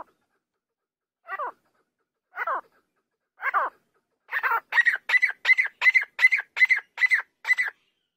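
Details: Grey francolin, said to be a female, calling: three spaced harsh notes, then a fast run of about ten loud, ringing notes, several each second. No other sounds.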